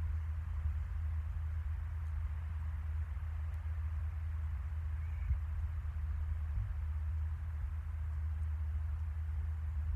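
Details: A steady, low hum of background noise with no animal voice, only a faint hiss above it.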